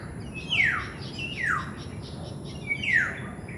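Black-naped oriole giving three harsh, descending nasal squawks about one second apart, each sliding sharply downward, over a low background hiss.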